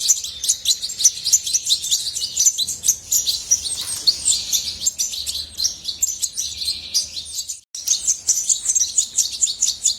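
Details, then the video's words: Goldfinch song: ten seconds of rapid, tinkling high twittering in a dense stream, broken by a brief silent gap near the eighth second before it resumes. "طائر الحسون من أجمل الطيور وأنداها صوتاً"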